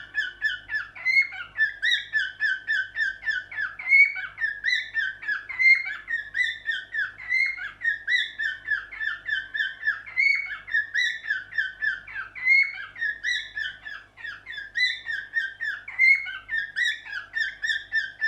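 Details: Cockatiel (Nymphicus hollandicus) song, from a bird that likes to look in the mirror while singing: a continuous warbling string of chirps and whistled notes, mostly mid-to-high pitched.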